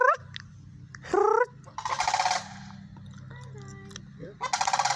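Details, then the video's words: Sandhill cranes calling, likened to dinosaurs; loud rolling, harmonic-rich bugling bursts near one second, two seconds and at the end, with short squeaky notes between and a steady low hum throughout. "Sandhill Cranes Calling"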